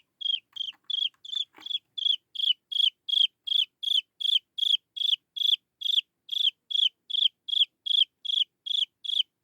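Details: Chinese francolin chick calling to lure its mother: a long, regular series of piercing high peeps, each short and falling at the end, about three per second, with one brief knock near the start.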